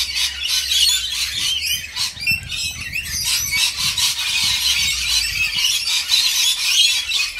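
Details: Rainbow lorikeets at feeding time give rapid, overlapping squawks and shrill chattering, about three notes a second at an uneven pace, with a short flutter that may be wingbeats.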